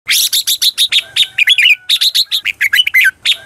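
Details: Red-whiskered bulbul (chào mào) lure song in the combative ché chéc style, meant to call wild birds and spur singing: a rapid string of about twenty sharp chirped notes, some ending in bright descending slurred whistles, with a faint steady tone underneath.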